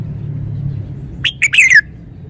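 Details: Red-whiskered bulbul (Pycnonotus jocosus), a caged bird showing its song repertoire: a quick, bright phrase of three or four liquid notes ending in a slurred falling whistle, over a low background hum.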